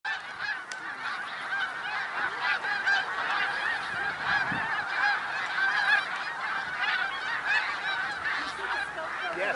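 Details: Large flock of snow geese at Middle Creek Wildlife Refuge, Pennsylvania, on 1 March 2021, giving a dense, continuous chorus of overlapping nasal honks that swells and fades slightly, with no pauses and no other clear sounds.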